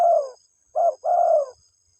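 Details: Spotted dove calling to its mate with a burry cooing sequence: the tail of a long coo, a brief pause, then a short coo and a drawn-out, gently falling coo, over a faint high-pitched hum.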